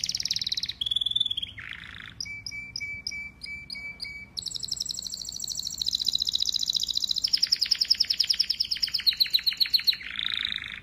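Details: Domestic canary singing in a training recording: a fast sequence of changing tours, from buzzy high trills and a low rattling burst to a string of sharp repeated two-note chirps, then long dense high rolls with quick pulsed notes.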